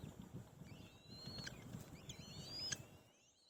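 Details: White-tailed kite chicks quarrelling to grab food. Thin, high whistles rise slowly and are drawn out, with two long ones cut by sharp clicks. Steady rustling and low outdoor noise run underneath.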